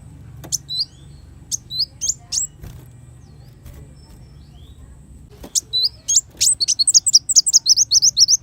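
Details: Sunbird, locally kolibri wulung, used for tutoring songbirds: scattered thin high chips and short squeaks, then a quickening stream of rapid, high, twisting notes at the end, with a faint low hum.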